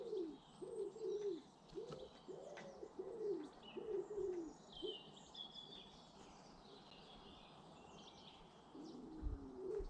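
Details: British garden birds: a pigeon or dove coos low and soft in repeated phrases through the first half, while small birds twitter and whistle higher up in the background.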